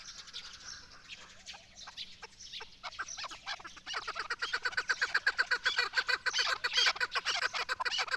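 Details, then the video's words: Chukar partridge, the national bird of Pakistan, calling: a rapid run of repeated harsh clucking notes that start sparse and quicken into a steady, loud chatter of about four notes per second. "پاکستان کی قومی پرندے چکور کی خوبصورت اواز"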